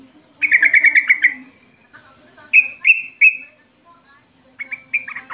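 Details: Sooty-headed bulbul 'rol' lure song, meant to taunt rivals into replying: an opening burst of quick chattering notes, then separated rising whistled phrases, and a final cluster of short, scattered notes.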